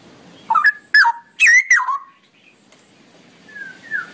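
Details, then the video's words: A straw-headed bulbul sings a long song of four loud, rich, gurgling whistled phrases in quick succession, slurring down in pitch, then a softer pair of clear whistles. "suara burung cucak rowo ropelan panjang"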